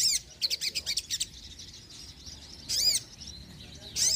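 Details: Sogon bird in lively, non-stop song used to lure wild birds and rouse reluctant singers: quick high chirped notes in a rapid burst, a pause, then sharp sweeping trills returning near the end.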